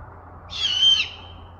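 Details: Great horned owl screeching in Western Washington: one harsh, hissing, raspy screech lasting about half a second, swelling then fading, with a thin steady tone running through the rasp over a faint low hum.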